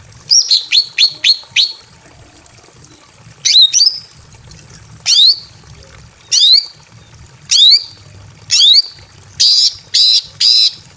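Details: Calling a male from a simple aviary, a breeding female greater green leafbird gives a quick run of falling whistled notes, then single sharp downslurred whistles every second or so, ending in a few raspy notes.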